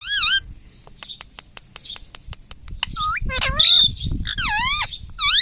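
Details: Pet ring-necked green parrot, said to talk words like mummy, papa and radhe radhe, giving high whistled and nasal voice-like phrases with rising and falling sweeps, after a run of sharp clicks; faint low household rumble underneath.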